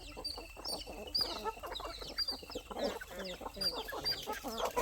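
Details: Poultry flock of roosters, growing hens and chicks feeding on a farm in the evening; dense, continuous clucking and cackling from many birds, laced with thin high peeps from chicks, all overlapping without pause.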